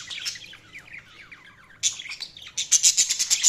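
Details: Budgerigars chirping: a fast run of warbled, twittering notes in the first half, then louder bursts of sharp, high, buzzy chirps repeated several times a second toward the end.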